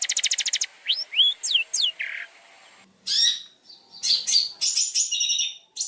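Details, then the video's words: Long-tailed shrike song used to train other birds: a quick trill, swooping whistles and a buzz, then a pause and harsh scratchy chattering bursts. "PANCINGAN MASTERAN BURUNG CENDET | FULL ISIAN MEWAH"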